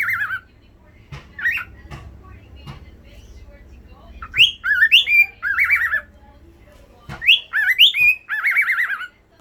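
A cockatiel chatters in bursts of warbled, whistly mimicry, with rising squeaks and wavering phrases.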